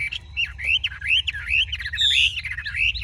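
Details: A large, tall Chinese hwamei sings a rich, fast run of varied whistled and slurred phrases, rising and falling in quick succession, over a low background hum.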